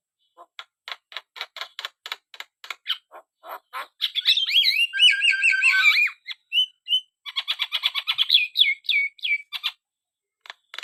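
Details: Black-winged starling singing vigorously: a run of evenly spaced dry clicking notes, then a rapid stretch of warbled, wavering whistles and squeaks, ending in clipped chattering bursts.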